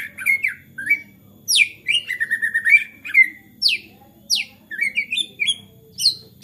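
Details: Agitated white-rumped shama singing vigorously, a performance meant to spur other shamas to sing; varied phrases of steep downward whistles, short rising notes and a stuttering trill, delivered in quick succession.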